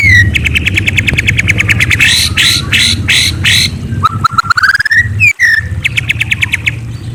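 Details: White-rumped shama singing at night: rapid runs of repeated trilled notes, dense buzzy bursts, then slurred rising whistles and a falling whistle before more quick trills, over a steady low hum.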